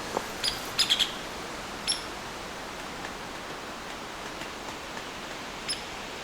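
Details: An agitated, likely female Hairy Woodpecker at evening near a possible nest gives sharp, high piercing peek notes as a warning of a potential predator: a single call, a run of three, then scattered calls over steady outdoor hiss.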